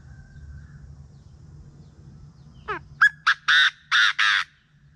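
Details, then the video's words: Chinese francolin calling in the morning, a recording kept as a hunting lure: after a faint thin whistle, a loud harsh burst of about six grating notes, rising and quickening, the last three long and broad, over quiet rural background hum. "เสียงนกกระทาทุ่งยามเช้า มีไว้สำหรับต่อ"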